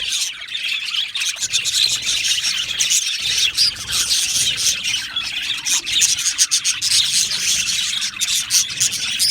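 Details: Budgerigar colony in an aviary, scratchy squawks and squeals mixed with fast chirping from many birds, a harsh, busy chorus with small dips in loudness.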